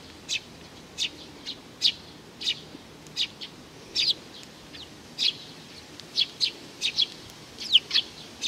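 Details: Juvenile sparrow chirping, June 2019: bright, brief high notes at irregular intervals, mostly singles with occasional close pairs, over faint low-pitched background noise.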